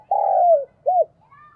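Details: Decoy spotted dove, 'đồng pha thúc' voice, 'gáy gọi' calling: one long low mellow coo sliding slightly downward, then a short arched note, with a faint whistle after.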